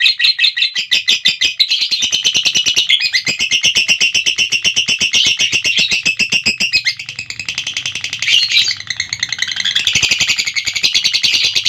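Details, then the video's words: Lovebird performing a long ngekek: an unbroken, fast, shrill chattering trill with steady pulsing beats, briefly roughening midway, with a faint low hum in the background. "Burung Lovebird Ngekek Durasi Panjang"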